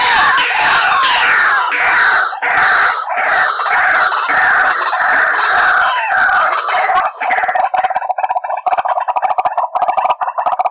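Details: White-breasted waterhen lure call used for trapping: loud, harsh, rapidly repeated croaking and screeching notes in a dense continuous chorus, thinning after seven seconds into clipped repeated calls over a steady high tone.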